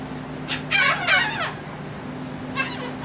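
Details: Seagulls fed on the deck of a ferry leaving Texel, Netherlands, 28 March 2014, give a burst of harsh, wavering squeals, several overlapping, then a fainter call, over a constant ship-engine drone.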